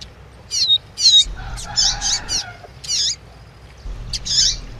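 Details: Double-collared seedeater song with female chirps meant to rouse the male: spaced high, bright chirp bursts and a thin whistle, with a soft lower buzzy tone in the middle and background hum.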